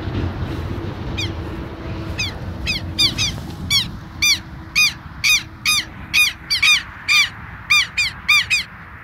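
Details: Southern lapwing pair, bold because their nest lies at this spot, calling insistently: harsh, grating strident notes that quicken into a rapid repeated series, about two per second, over low background rumble.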